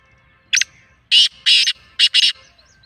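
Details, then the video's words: Kala teetar, the black francolin, giving its mastya call: a brief twin chip followed by a grating, buzzy phrase of two longer harsh notes and a hurried final pair, loud and clear against near silence. "Black Francolin kala Teetar ki Awaaz or Mastya"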